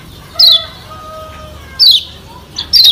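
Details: A Lemon-bellied White-eye (Lombok yellow kecial) gives three very high, thin notes sliding downward, spaced about a second apart, with faint lower whistles from other birds in between.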